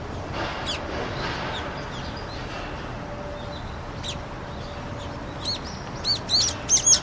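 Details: Brown-eared bulbul on a Seoul rooftop, 6 February 2020, a colder day when water had frozen and bulbuls came to drink, giving a few sharp, high squeaky call notes that quicken near the end over steady city hiss.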